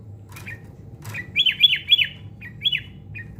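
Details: Sooty-headed bulbul trained for fighting, delivering a fast string of four loud down-slurred chirps followed by two shorter notes, with faint clicks and low hum.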